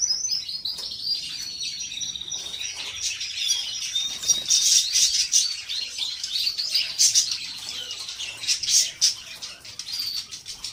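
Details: Canaries kept in a breeding room for pairing and mating, heard as a dense chorus: many high chirps and quick trills overlapping continuously, rising and falling in loudness, with no single singer standing out.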